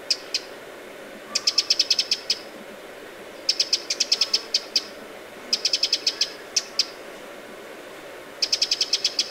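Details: Eurasian wren alarm by Lake Vänern in Sweden, late July 2017: short rattling bursts of five to eight rapid, dry ticks, repeated roughly every two seconds, against steady low background noise.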